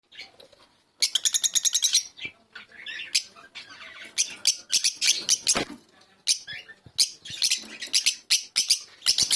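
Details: Fischer's lovebird twittering indoors: an opening quiet second, then dense bursts of sharp, high, squawky chirps in rapid runs, broken by short pauses and scattered single notes.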